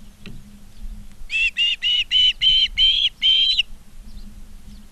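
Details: Osprey calling in Charlo, Montana, on August 19, 2023 at 16:05: a clean series of seven loud, evenly spaced whistled chirps, slightly rising in pitch, lasting about two seconds, against a quiet background with faint hum.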